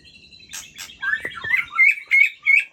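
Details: White-rumped shama singing at midnight: a few soft whistles and buzzy bursts, then a run of bright rising whistled notes repeated about every third of a second, clean and loud with no other sounds.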